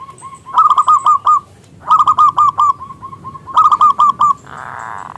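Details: Lure song of a local zebra dove, prized for its big voice: three loud phrases of rapid, rolling coos, each opening with a rising note, ending in a brief rushing noise.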